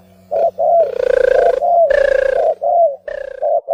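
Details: Turtle dove, described as migratory, giving a short run of deep, purring coos. Rough, loud phrases alternate with smoother curved notes over a constant low hum.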